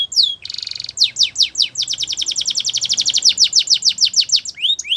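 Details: A Spanish Timbrado canary sings for training, a brief falling whistle and a short buzzy metallic trill leading into a long, fast, steady run of high downslurred notes.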